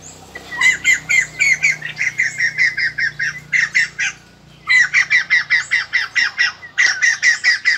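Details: White-crested laughingthrush kept for song training, 2020 season: rapid series of sharp, ringing repeated notes, about four per second, given in two long bursts separated by a short pause, with a faint low hum underneath.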